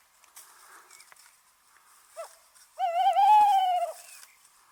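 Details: Tawny owl calling in a quiet setting: a brief rising note, then after a pause a long, tremulous hoot lasting about a second. The hoot quavers and wavers slightly in pitch before fading.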